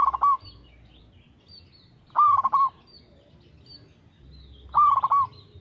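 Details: A steady-singing local zebra dove delivers three low, mellow coo phrases about every two and a half seconds. Each phrase is a rising note broken into rapid stuttering pulses, with quiet background rumble.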